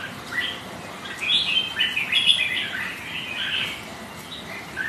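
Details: Rival red-whiskered bulbuls, kept birds, exchange song on a stormy wet day: quick chirps and twittering warbles in irregular bursts, voices overlapping, rain hissing in the background.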